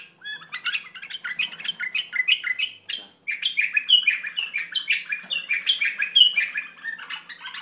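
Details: Iraqi bulbul singing a fast, dense run of chirping and warbling notes, short phrases tumbling one after another, with a brief pause near the middle before the chatter resumes.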